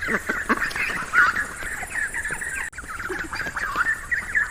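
Ducks quack in a busy, overlapping chorus of nasal, rasping calls, several birds at once with no pause.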